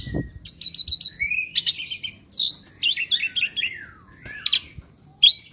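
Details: Kept Asian pied starling, a restless bird said to be clever at copying other birds' voices, sings a rapid medley of varied high whistles, trills and chirps, with quick changes in pitch and a short low thump at the start.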